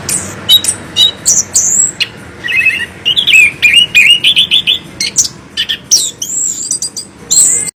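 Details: Loud chestnut-capped thrush (anis kembang, 'mulut lebar' type) singing a varied run of bright whistled notes, some high and thin, others lower and slurred, delivered in a rapid, uneven sequence with short pauses.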